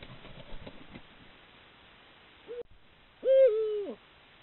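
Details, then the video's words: Eurasian eagle-owl recorded by camera trap at the start of the breeding season, when young must leave the parents' territory and pairing calls intensify. A short note is followed by one loud, rich, drawn-out tonal call that holds steady, dips, then drops; faint rustling earlier. "Búho real; comienza el celo"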